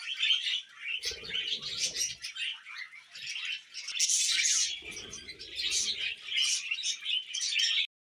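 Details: Pet budgerigars in a continuous high-pitched warble of scratchy chirps, squeaks and trills with almost no pauses. Two short bursts of low, murmuring coo-like sounds rise beneath the chatter near the start and again in the middle.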